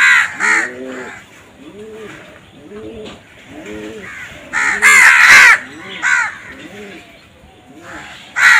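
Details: Crow giving loud, harsh, raspy caws in scattered bursts, including a long rough call midway, with a softer low cooing repeated about once a second underneath, likely from a pigeon or dove.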